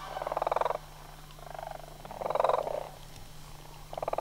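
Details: Sandhill crane calls from an autumn migration flock at Homer in September 2009. Mellow purring trills repeat about every second or two, rising and fading in strength, over a constant low hum.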